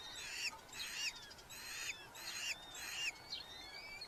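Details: Red-footed falcons at a nest box in a large colony in Hungary, July 2025; soft but distinct raspy calls with a downward-bending tail arrive roughly every half second against a hissy background, and a thin rising whistle follows.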